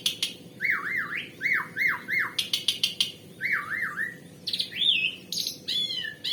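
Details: Energetic Asian pied starling producing odd mimicked sounds; looping wavy whistles, rapid clicks, then higher swooping, bending whistles and a metallic twang toward the end.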